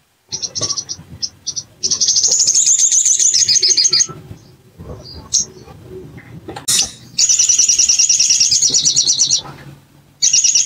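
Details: Bar-winged prinia, played as a lure to provoke a caged bird into singing, tagged as a female calling a male: loud, rapid, very high buzzy trills in long bursts, broken by clicks, knocks and handling noise.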